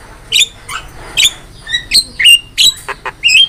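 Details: Javan myna in strong song, training master: spaced squeaky whistles and harsh chirps about once a second, with two short nasal notes near the end.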